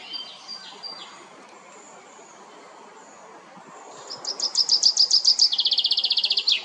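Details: Common chaffinch singing at La Perle du Lac in Geneva, Switzerland, for territorial defense and mate attraction: faint high notes, then a loud run of rapidly repeated bright notes speeding into a dense trill, with a soft background hum.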